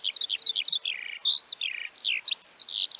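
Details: Eurasian Skylark of Central Russia in full song, a fast, unbroken stream of high twittering notes, clipped chirps and rising and falling slurs mixed with short buzzy phrases.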